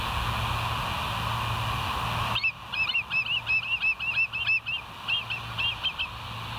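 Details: Bald eagles at West End, July 7, 2023, 06:21, on a live nature cam: after a steady hum, a fast chattering run of high, thin whistled notes, about a dozen in quick succession, some sliding upward, then a brief pause and a few more.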